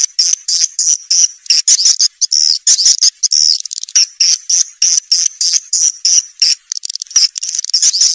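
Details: Lure sound of swiftlets for coaxing young birds into a new nesting house: steady bright, high chirps repeated roughly three times per second, each short and slightly trilled, without other noise.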